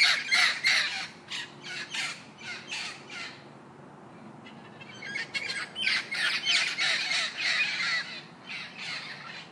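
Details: Parrot giving harsh, squawky chattering calls in rapid bursts, several per second, with a quieter gap of about two seconds midway before the scratchy chatter resumes.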